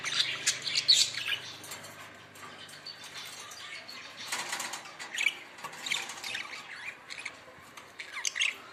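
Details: Budgerigars giving scratchy squawks and quick chirps in irregular bursts, with wing flapping and rustling between the calls.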